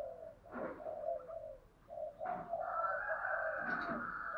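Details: Spotted dove decoy calling to provoke wild doves into fighting, heard farther off: muffled repeated coos over a steady background hiss, with a long sustained tone in the second half and a few soft thumps.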